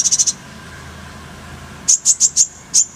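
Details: Kolibri ninja sunbird tutor song with full fillers and rolling bursts, in a clear voice: a quick run of four very high chips, a pause, then five more high, sharp chips spaced evenly, over a quiet background.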